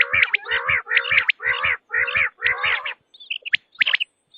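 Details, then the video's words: Quail (batair) with a tested call: six evenly spaced, throaty, buzzy phrases about half a second apart, each with a warbling low band, followed by a few thin, high, clipped notes. "بٹیر کی آزمائی ہوئی آواز ۔ | Quail Tested Sound | Batair ki Awaz"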